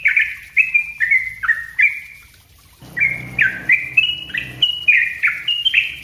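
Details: Sooty-headed bulbul, kept bird, singing a busy song meant as a model for training other birds: bright whistled notes near mid-high pitch, each dropping or stepping, repeated rapidly in two bursts with a short pause; faint low hum beneath.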